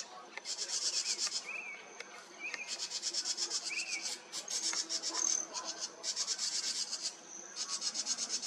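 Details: House wrens scold a red fox resting near their tree in July 2023, giving repeated bursts of grating, buzzy chatter with brief gaps. A few soft, short whistled notes sound faintly between the bursts.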